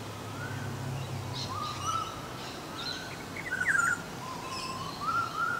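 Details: Olive-backed orioles, a pair, noted as mimics and ventriloquists, give repeated liquid rolling phrases that climb in pitch, one with a sharper upward flick, while faint chirps of other birds sound above and a low hum runs beneath.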